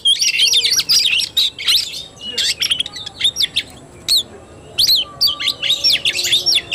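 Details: Tarung (fighting-style) song from an Oriental magpie-robin recorded 17 August 2021: quick sweeping whistles and sharp chips in a busy opening stretch, then shorter separated bursts of high notes.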